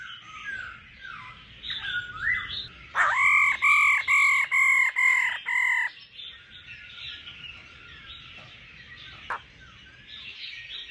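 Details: Female laughing thrush calling to stimulate singing: a run of six loud, ringing, harmonic notes repeated about every half second, framed by softer, slurred warbling phrases and rising whistles.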